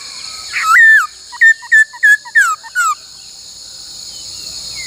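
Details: A laughingthrush being trained to sing the 'bắt cô trói cột' song. One loud wavering whistle is followed by five or six quick, evenly spaced slurred notes, then quiet with a faint hiss.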